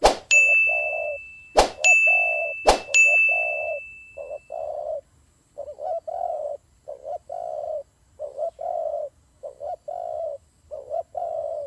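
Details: Fighting turtle doves give steady low coos in quick runs of short notes, about four per second, with three loud sharp clicks carrying a ringing high tone in the first three seconds.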